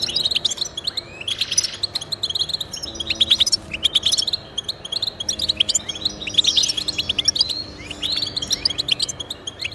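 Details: European goldfinch song played to encourage pet goldfinches to sing: rapid, liquid twittering and bright chirps tumbling together in dense bursts, with a brief pause near the middle and a faint steady low hum beneath.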